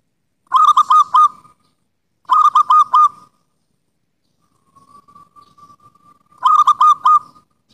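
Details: Wild local zebra dove (perkutut) gives soft, rapid bursts of four or five cooing notes, repeated every couple of seconds, with a fainter drawn-out coo between phrases.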